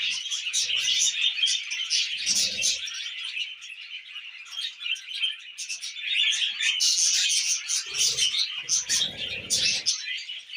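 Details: Tame pet budgerigars kept with cockatiels, chattering while eating millet: dense, continuous warbling and chirping with fast scratchy notes and high squeaks, several birds overlapping, with brief low thumps and rustling of feeding in the background.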